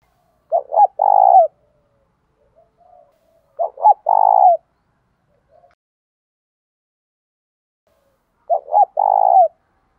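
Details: Spotted dove calling in the thổ pha đồng voice style, with fighting (thúc đấu) and calling coos: three loud, low, throaty coo phrases about every four seconds. Each is a short stutter followed by a longer rolled note, with silence between.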